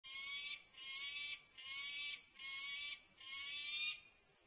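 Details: Wild peregrine falcon chick on a Berkeley campus nest, exploring outside the nest on 19 May 2024, gives harsh, nasal, drawn-out wails, five in quick succession at a steady pitch, with faint background hiss.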